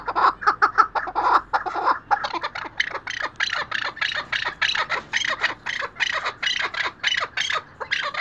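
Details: A tethered chukar partridge gives a fast, harsh clucking series, a dense burst at first, then steady 'chuk' notes about three to four per second.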